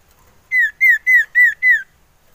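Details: Male common iora used as a lure, wanting to mate: five clear, loud whistled notes, each slightly down-slurred, evenly spaced about a quarter second apart, over a quiet background.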